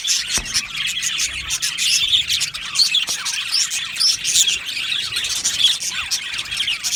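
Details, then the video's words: Budgerigars singing and chirping in an aviary, a lively overlapping chatter of bright chirps and warbled phrases with a few sharp taps. "Beautiful Budgie singing and chirping sounds"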